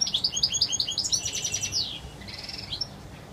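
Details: European goldfinch singing its pure wild song: a rapid string of bright chirps running into a buzzy, rasping trill, followed by a shorter buzzy phrase.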